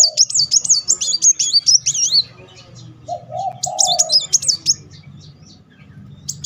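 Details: Van Hasselt's sunbird in rapid 'nembak beruntun' song, used as a lure to provoke singing: high looping, wavering whistles in two runs, and a lower drawn-out cooing note between them.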